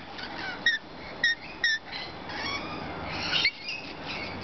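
Lorikeets give short, sharp screeching chirps, three quick ones early and a harsher burst near the end, over a steady hiss of background chatter.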